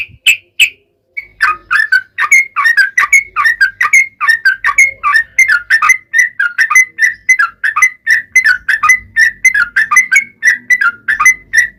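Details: Lively, long-running yellow-vented bulbul song meant to lure other bulbuls into answering. Two clear notes are followed by a dense, unbroken stream of bubbly, warbled phrases that rise and fall quickly for about ten seconds.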